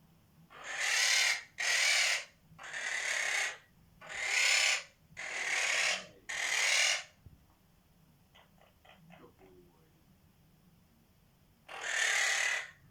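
A monk parakeet gives a run of harsh, raspy squawks, each about half a second long.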